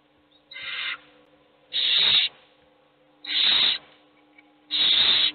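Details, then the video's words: Hungry owl chicks beg with four hissing screeches about 1.5 seconds apart, the first softer and thinner, the rest loud and rasping, while only one chick gets fed. "Todos los polluelos tienen hambre, pero sólo come uno."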